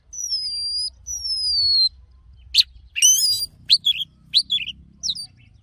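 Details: Oriental magpie-robin singing in forest-style voice, used for song training: two long, clear, slightly falling high whistles, then a quick run of sharp, varied chirps and twisting whistled notes.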